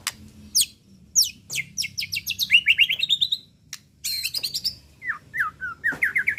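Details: Agitated white-rumped shama lure song showing off its repertoire: sharp high descending sweeps, then rising trilled phrases, a brief pause, then lower slurred whistles repeated in quick succession.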